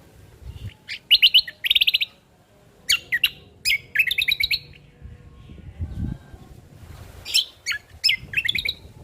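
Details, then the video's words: Ruby-throated bulbul, genuine voice played as a lure and tutor for songbirds: clustered bright, sharp chirping notes in quick groups, some trilled, with brief gaps and faint low background hum. "Pancingan Burung Dengan Suara Asli Burung Cucak Kombo"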